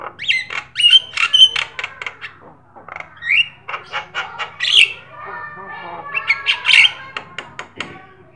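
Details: Actively singing black-winged starling, a bird meant to prompt and train other songbirds. It gives a dense, chattering medley of grating notes, short rasping whistles and clicks that pause briefly before resuming.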